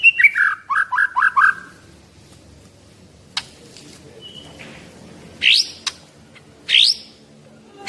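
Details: Caged Medan white-rumped shama, 11 months old and 24 cm long, with a rich mimicked repertoire, opens with quick descending whistled notes. After a quiet stretch with background hum come a few sharp, rising upslurred calls.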